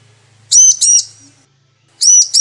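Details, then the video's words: Female bar-winged prinia calling the male, a lure to get males singing: two close, shrill arched notes, a pause, then another pair begins. A faint low hum opens the recording. "Ciblek Betina Memanggil Jantan"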